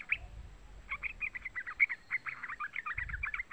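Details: Calls of a young trucukan, the yellow-vented bulbul, used as a lure to make trucuk birds sing: a rapid run of short, bubbly chirps, closely spaced and slightly varying in pitch, fairly quiet.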